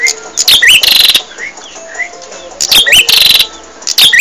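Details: Gacor bar-winged prinia song used to train caged birds: two loud buzzy phrases with rising whistles, and softer whistled notes in between.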